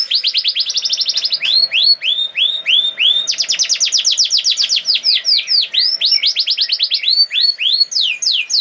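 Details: High, forceful canary song in 'nembak' style to coax other canaries to sing along: alternating fast trills and runs of falling swept notes, continuous throughout.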